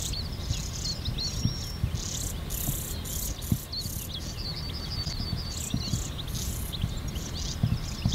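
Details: Recorded on 30 May 2019 at 08:35 in NSG Ahsewiesen, European stonechat fledglings receive food; rapid bursts of high chirping and scratchy notes repeat throughout, with a low constant rumble beneath.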